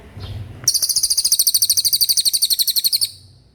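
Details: Fast 'roll speed' song of a Common iora, a tutor recording for songbirds: after a soft low rumble, a rapid, piercing high trill of evenly spaced notes runs for about two and a half seconds, then stops.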